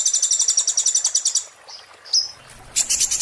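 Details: High, rapid trill of an Oriental white-eye in the 'muntah beling' style, a tutor song for magpie-robins and shamas, followed by a couple of thin whistled notes and the start of another fast burst.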